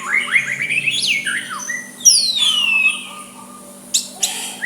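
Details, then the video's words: White-rumped shama soft provoking song with long sweeping whistles, a high descending glide, then short sharp notes, a low mechanical hum throughout. "Murai batu suara lembut cocok untuk MEMEKAT lawan ikut emosi dan saling balas"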